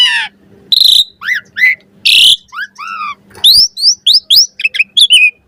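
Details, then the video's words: Full variety song of an Asian pied starling recorded as a master for training birds: harsh rasping bursts, arched whistled notes, then a fast series of rising squeaky whistles toward the end. "Suara Jalak Suren Full Variasi Ocehan Buat Masteran & Pancingan Burung Jalak Agar Cepat Gacor Isian"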